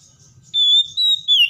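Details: Oriental magpie-robin, stressed and lazy to sing but provoked into singing, utters a sustained pure whistle held at one high pitch, broken once, and ending on a slightly lower note.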